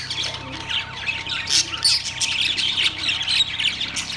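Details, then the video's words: Several caged budgies, Australian parrots recorded on September 3, 2023, producing busy overlapping warbles, chirps and scratchy squawks in an unbroken high chatter, with a low electrical-like hum underneath. "Australian parrots birds chirping sounds"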